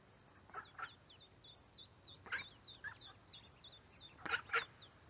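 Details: Mallard ducklings, recorded with a mic by the corn, give a steady run of thin, high, downslurred peeps, several each second, broken by a few louder, harsh honking quacks.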